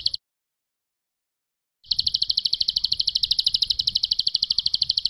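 A bar-winged prinia gives a rapid, high, even trill of sharp notes, about nine per second, after a brief note and a short pause.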